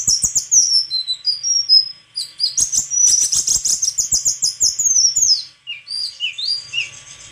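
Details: Long burst of white-throated flycatcher song: thin whistles, then a loud, rapid chattering warble of high buzzy notes with clicking, tailing off into short squeaky upslurred phrases.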